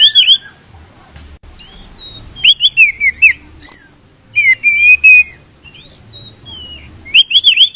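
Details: Contest-trigger song of a white-rumped shama: bursts of rich warbled whistles, rising slurs and rapid chips, separated by short pauses, ending in a fast twittering phrase.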